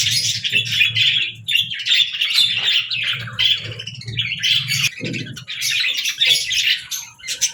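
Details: Budgerigars sing in choppy phrases of chirps and twittering warbles, with a low hum running underneath and a brief hoarse squawk midway.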